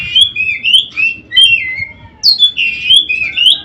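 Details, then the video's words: Oriental magpie-robin song used as daily mastering audio for training caged birds: loud, clear whistled phrases, sweeping and warbling between high notes, delivered in bursts about every half second with brief pauses, over faint low background hum. "Masteran Burung Kacer Harian"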